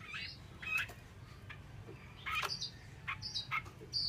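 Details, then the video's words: Female Chinese hwamei in Vietnam producing sharp chirps and quick upslurred notes at irregular intervals, roughly every half second to second, against a constant low-pitched hum. "con chim họa mi mái"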